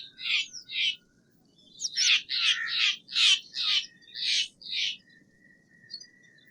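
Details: Steller's jay giving a run of harsh, rasping notes, about eight in six seconds, each a short broad burst, with a few thin high chips from other small birds between them.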